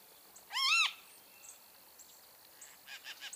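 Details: Great kiskadee giving a single loud, harsh arched note that rises then drops, followed by faint, softer chattering notes against a light hiss.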